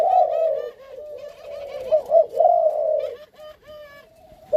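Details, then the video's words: Malaysian-line spotted dove male and female, paired for breeding in captivity, giving a long throaty rolling coo followed by shorter coo notes, with light chirping of small birds behind. "Cugaymalaisia, Ghép lạI cặp giống : Trống JAADS với mái chiêu gù di chuyển F1"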